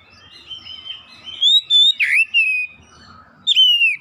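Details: Oriental magpie-robin song to stir other magpie-robins, home-kept birds too, into singing. Faint warbling leads into a loud rising whistle, a harsh downswept note, several ringing phrases and a final bright downslurred whistle.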